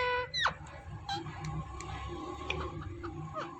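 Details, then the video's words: Talking rose-ringed parakeet giving the word "Mithu": a sharp descending harmonic note, then several shorter rising and falling tonal syllables over a low background hum. "Ringneck Parrot Talking Mithu Mithu Mithu"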